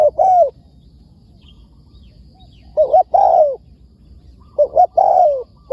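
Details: Wild spotted dove responding to a decoy bird, calling in three separated bursts, each a quick double coo then a longer, slurred falling coo, with quiet gaps between phrases.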